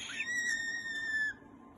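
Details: Green-cheeked conure making a drawn-out steady whistle, a clear tone held level for over a second after a brief rising start, then stopping abruptly; heard as part of content chatting and squeaking.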